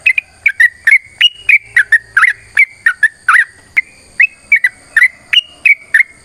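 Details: Sooty-headed bulbul delivering a long fighting song meant to prompt rival birds to sing: a brisk chain of fluty whistles, several in rapid clusters, pitch wavering up and down throughout.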